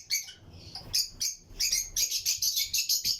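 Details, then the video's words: Pairs of lutino lovebirds in a flight colony aviary: a quick, evenly paced series of piercing high chirps, about four a second, building after scattered single notes. "Lutino Lovebirds Breeding Colony Cage - Chirping and Relaxing Sound"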